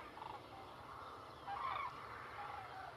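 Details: Common cranes (Grus grus) in Extremadura, Spain give distant, rolling trumpet calls, with a louder cluster of honking notes midway over a steady hush of background noise.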